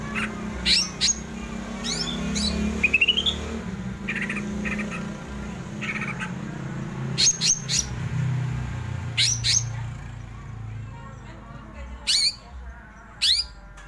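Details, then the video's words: Greater green leafbird in rolling, frenzied song: sharp high whistled sweeps and quick rising chirps in scattered bursts, some short notes climbing in a stepped series, over a steady low hum of background noise. "cucak ijo ngerol ngamuk"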